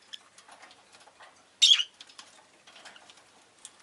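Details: One loud, harsh, shrill chirp from a rosy-faced lovebird, set among soft clicks and faint rustling.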